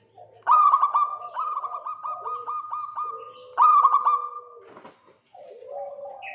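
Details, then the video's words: Local zebra dove calling to lure a rival: a long stuttering coo phrase, then a second one, each a fast run of pulsed notes at even pitch. Softer, lower cooing follows from another bird. "Perkutut lokal GACOR KEROT MANCING LAWAN"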